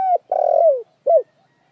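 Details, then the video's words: Close spotted dove coo: a short note, then a long rough coo that falls in pitch and a final rounded coo, all within under two seconds. "TIẾNG CHIM CU GÁY CHUẨN NHẤT"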